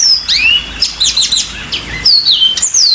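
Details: Clear yellow-fronted canary song: long falling and rising high whistles around a quick cluster of chirps, ending with wavering drawn-out whistled notes.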